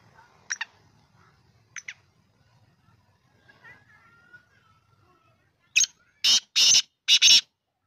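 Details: Black francolin (kala teetar) calling: after faint scattered chirps, four loud, harsh, grating bursts close together near the end, the last two nearly joined.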